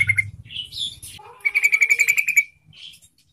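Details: Yellow-vented bulbul song used as a lure to make quiet bulbuls sing: bubbly, varied chattering phrases, then a fast run of about ten rapid clear notes and a closing slurred whistle.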